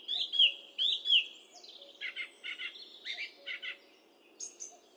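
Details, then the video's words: Singing song thrush, high definition microphone recording; a clear sweeping whistle given twice, then a chattering note repeated several times in pairs, followed by a short high phrase, faint hum in background. "Song thrush Singing"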